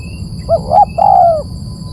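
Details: Luring call of a dove: a brief coo, a second rising-falling coo, then a long, slightly falling hollow note, all low-pitched, with a steady high electronic hum in the background.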